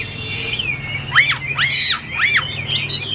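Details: Chinese hwamei kept in a cage, giving a thin rising whistle followed by three strong arched, swooping notes, each rising then falling, and a final clipped high note.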